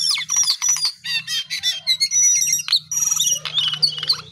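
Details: Lively, high song of a lesser shortwing (cingcoang coklat): dense chattering bursts and sharp whistles in quick succession, over a steady low hum.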